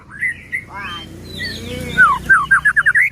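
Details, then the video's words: Singing white-rumped shama, meant to stir rival shamas into song and agitation: varied whistled phrases and a falling slur, finishing with a rapid string of about six loud, rising chip notes. "Murai batu gacor AMPUH buat PANCINGAN murai batu agar bunyi JADIKAN burung murai EMOSI"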